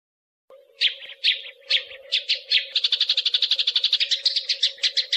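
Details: Eurasian tree sparrows fighting, recorded as master material for contest birds: loud separate harsh chirps about every half second that quicken into a fast, scratchy chatter, over a steady low hum.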